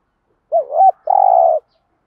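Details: Spotted dove cooing in the classic 'thúc gù' manner as a lure for wild birds, which should respond by singing. A rising-falling opening coo is followed by a longer, steady, rolling coo against a silent backdrop.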